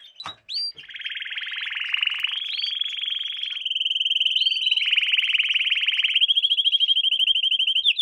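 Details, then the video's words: Lesson song for young canaries: a couple of brief whistled notes, then an extended rapid buzzing trill that holds at several steady pitches, growing clearer and more pulsed toward the end. "Canary Singing - lesson 16"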